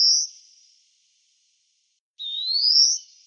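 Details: Greenfinch in the town of Wittlich, 2018, drawing out a long nasal wheeze that rises steadily in pitch over nearly a second, after the fading end of an earlier one.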